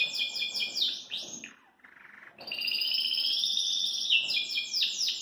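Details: Caged Belgian canary singing cheerfully while hopping in its cage: rapid high trills and rolling warbled phrases, a brief quieter pause near the middle, then a long sustained bright trill followed by quick repeated sweeping notes.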